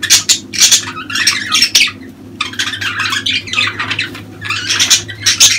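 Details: Dense budgerigar warbling heard during mating season: fast runs of clicks, chirps and grating notes pile together with hardly a pause, busy and raspy, over a constant low hum.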